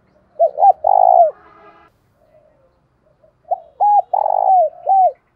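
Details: Decoy spotted dove with a 'thổ đồng' voice, used to lure wild doves. It gives a phrase of short looping coos and one long purring note, pauses, then repeats the phrase more loudly with clipped hooked notes and a long, trembling, downslurred coo.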